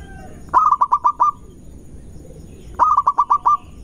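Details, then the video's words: Two rapid stuttered phrases from a local Indonesian zebra dove, each of about six even, mid-pitched coos ending on a longer note, sung as a lure to provoke rival birds; faint low rumble underneath. "Perkutut Lokal Gacor Cepat Bikin Emosi Lawan"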